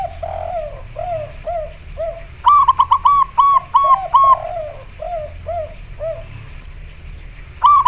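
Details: Zebra doves, including a local white-barred female calling a male to mate, alongside spotted dove calls: soft low coos open the recording, then a burst of louder, higher, evenly spaced rhythmic coos, followed by more low coos and a faint background hum.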